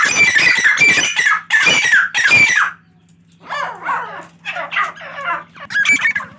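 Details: Female grey francolin (teetar) calling at a francolin farm in Pakistan: three loud, harsh, squawking bursts in quick succession, a pause, then softer, scratchy rising notes, with a steady low electrical hum underneath.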